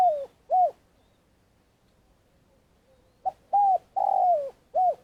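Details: Spotted dove long call used as a trapping lure in Vietnam: soft, low hooting coos with an arched, slightly falling pitch, two separated notes then a quicker group of four, on a quiet background.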